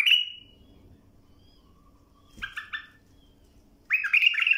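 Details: Bulbul singing, recorded to train young birds: a sharp, bright whistled note, a quieter doubled warbling figure after a pause, then a loud, rich phrase of fluty slurs.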